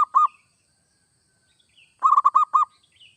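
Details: Perkutut or zebra dove song, played to get other doves singing: a short cooing phrase, a pause, then five quick bubbling coos, with faint high chirps in the background.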